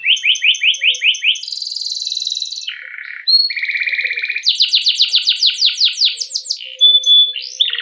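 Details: Canary song used as a lure to train other canaries: a long rolling performance of rapid trills shifting between pitches, with a buzzy stretch in the middle and fast, dense rolled phrases toward the end.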